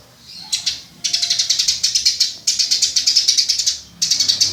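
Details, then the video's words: Eurasian tree sparrow (burung gereja, also called burger), recorded as tutor material for training songbirds; dense bright chirps in rapid pulsed runs, several bursts lasting about a second each, separated by short pauses. "Burger alias Burung gereja untuk masteran"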